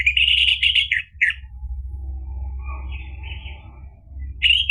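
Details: Energetic orange-headed thrush song, used to trigger a bird into singing: a loud burst of high, rapid warbled notes, a long quiet stretch with faint soft notes, then the high song resuming at the end.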